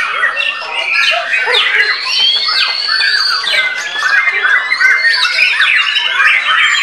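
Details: White-rumped shama singing as soon as its cage cover is pulled off: a dense, lively run of varied clear whistles, slurs and trills, high and bright, with several phrases overlapping almost without pause.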